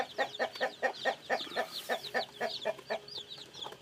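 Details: Rapid, regular low clucks about four or five per second from chickens, with high thin downward-sliding peeps of newly hatched chicks scattered over the top.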